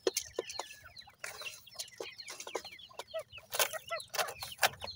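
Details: Yard-feeding francolin (teetar) chicks, 28 days old: overlapping quick descending peeps from many young birds mixed with frequent sharp pecking knocks.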